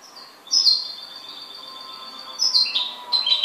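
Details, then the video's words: A domestic goldfinch delivers a sustained, silvery trill that opens with a sharp high note, then sharp descending chirps and bright twitters near the end. "MI JILGUERO"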